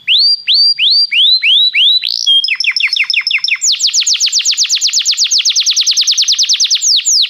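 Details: Belgian canary song used to warm up a canary: repeated rising-then-falling whistled notes, a short quick stuttering phrase, then a long rapid run of sweeping notes to the end.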